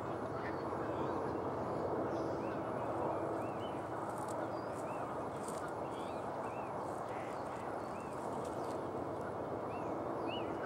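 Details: Osprey at Barr Lake in Brighton, Colorado, giving a long series of short, arched, whistled chirps, each rising then falling, repeated about once a second over a loud, steady rushing background noise.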